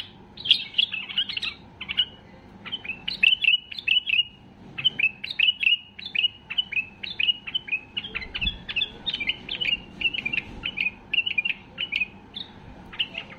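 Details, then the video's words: Highly excited white-eared bulbul singing strongly to push other bulbuls into song: a long, steady stream of quick whistled phrases, each a sharp note dropping into a short warble, repeated roughly every half second. "اقوى تغريد بلبل بصراوي لفتح البلابل القافلة"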